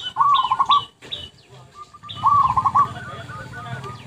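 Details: Zebra dove song for luring birds: two bursts of pulsed, trilled cooing, with sharper high chirps from other birds and a steady background murmur throughout.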